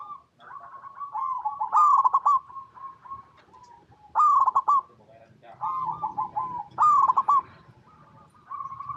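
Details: Local Zebra Dove (perkutut) in full song, used as a lure to set other zebra doves singing: loud rolling bursts of staccato coos near one pitch, about three phrases over nine seconds, with softer steady cooing between them.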